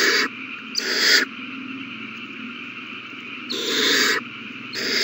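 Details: Owl nestlings begging during a feeding on 27 March 2020; a few long, harsh hissing bursts separated by a quieter stretch of faint continuous hiss.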